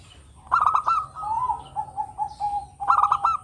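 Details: Actively singing local zebra dove, used as a lure for other birds: two bursts of fast clipped, stuttering coos separated by a series of softer, evenly spaced mellow cooing notes, with a faint steady high hum throughout.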